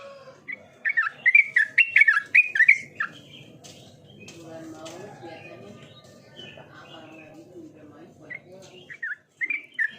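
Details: Yellow-vented bulbul singing actively: a quick run of bubbly, slurred whistled notes for about two seconds, then sparser short phrases over a steady low hum, ending with a few more bright chirps.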